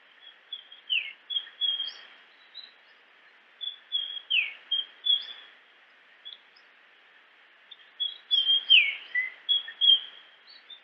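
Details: Japanese grosbeak singing: three bouts of clear, high whistled phrases with bright downslurred notes and short chips, separated by brief pauses, over a steady background hiss.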